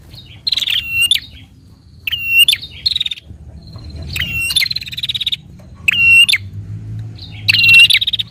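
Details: Prinia, a recording used to stimulate a captive prinia to sing. Loud, buzzy, trilled phrases of about half a second with a ringing note inside, repeated irregularly every one to two seconds over a low background rumble.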